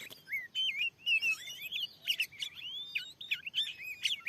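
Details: Wild white-rumped shama singing in response to a lure bird in newly cleared land: a rich run of loud whistled notes, slurred upswept and downswept phrases mixed with quick chirps and harsher buzzy elements, delivered without pause.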